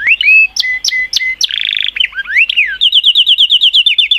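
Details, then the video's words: A singing canary gives sharp chips and flat whistles, a short buzzy roll and rising slurs, then ends on a quick, even trill of repeated notes. "تغريد كناري Chant Canaris singing canaries"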